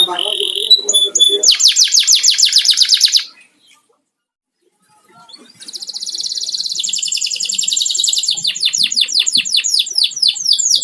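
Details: Domestic canary kept at home sings rapid high trills and buzzy rattling phrases, pausing silently for about two seconds midway before resuming with a long run of quick repeated notes.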